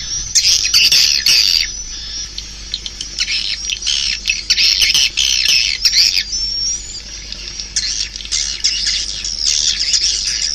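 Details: Swiftlet calls: loud, crowded bursts of high-pitched chirping and buzzy twitters that come in waves, broken by short quieter gaps, with one rising whistled note in the middle.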